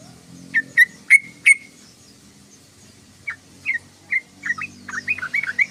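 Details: Yellow-vented bulbul song: four sharp, ringing whistled notes, a pause, then a quickening string of bubbly, slurred chirps building into fast chatter.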